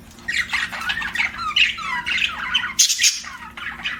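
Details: Budgerigar warbling in a continuous chatter of squeaky, slurred notes and downward-sliding whistles, with a harsh loud squawk near the end.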